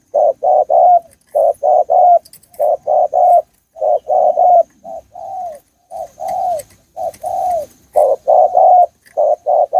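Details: Spotted dove calling in Thailand: a long run of low, mellow coos in groups of two or three, repeated steadily for ten seconds, with faint clicks in the background.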